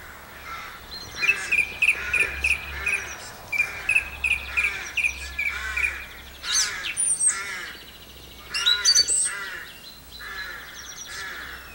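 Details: Song thrush singing at Campbeltown in April 2012: short clear notes repeated in quick sets, mixed with harsher buzzy phrases and a few high thin squeaks, over steady low background hum.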